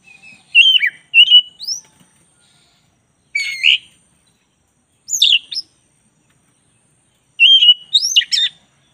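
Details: Oriental magpie-robin of the black-breasted form, singing in lively 'gacor' style as a master recording for tutoring birds: bright, whistled phrases rising and dropping sharply, with short trills, delivered in bursts separated by pauses of one to two seconds, quiet background.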